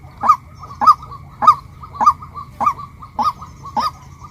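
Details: Female white-breasted waterhen uttering seven clipped, rising notes at an even pace of roughly one every 0.6 seconds, with soft low noise in the background.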